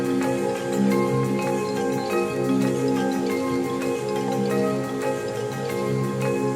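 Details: Steady mallet percussion music, marimba-like with bell tones, plays throughout with no animal voices.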